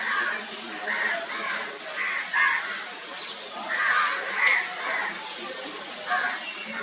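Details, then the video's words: Crow making sound during a bath: rough, nasal caws repeated every half second or so in loose groups, with a brief sharp click and steady background noise. "Crow Taking Bath And Making Sound"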